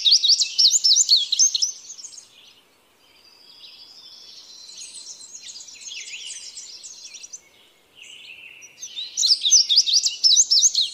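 An indigo bunting sings bright, high, paired notes in quick bursts of about two seconds, with a softer, thinner phrase between the louder ones.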